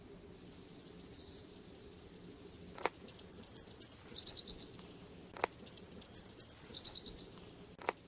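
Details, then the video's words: Nashville warbler, heard every spring high in the trees along a path at Holt Pond, singing very high, thin songs: a slurred opening and then fast twittering trills, repeated three times, with faint clicks. "Every spring I listen for a Nashville warbler along this path. I've never been able to get a good photo because they stay really high, but the song is unmistakable."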